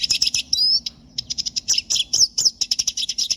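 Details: A siskin sings a fast stream of clipped high chirps, interrupted by a short drawn-out whistle, then quick repeated twitters to the end.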